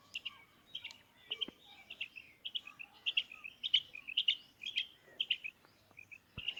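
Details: Quiet, fairly distant female quail calling: a long run of paired whistled notes, each pair clipped and slightly buzzy, over a low hiss.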